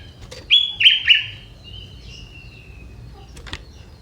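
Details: Young wild sooty-headed bulbul from the forest, its song said to be filled with prinia-like phrases, kept as a tutor recording for songbirds; three loud, clear whistled notes in quick succession, slightly falling, then a faint drawn-out trailing note over quiet background.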